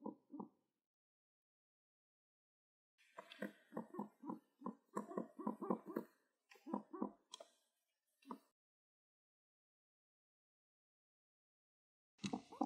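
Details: Pet pigeon being petted indoors, giving soft low coos and grunting notes in quick bursts, a rapid run of short throaty pulses in the middle, then quiet, with a brief rustling noise near the end.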